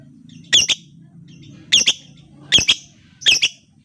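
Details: Lovebird lure used to stimulate other lovebirds into song: raspy, squawking double chirps repeated four times at irregular intervals over a soft low hum.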